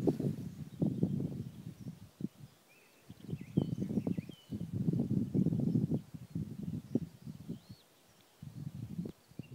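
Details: In the eastern Ore Mountains on 3 April 2016, a black grouse recorded via iPhone 4 and spotting scope keeps up long runs of low rolling, gurgling bubbling with brief gaps, and faint high twitters of other birds.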